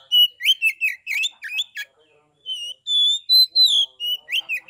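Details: Oriental magpie-robin, a caged bird kept in Kebumen, Central Java, giving 'ngeplong' song meant to stir other magpie-robins to answer: rapid chattering notes, a brief pause, then pure sliding whistles and rising-falling phrases.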